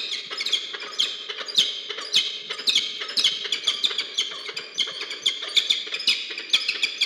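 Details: Peregrine falcons, a pair meeting briefly at their nest in Orange, New South Wales, Australia, on 2 January 2023, recorded by a research nest camera: rapid, harsh, grating notes repeated about twice a second without pause.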